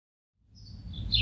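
A house sparrow gives a thin, high falling note followed by one loud, bright chirp, over a low rumble of background noise.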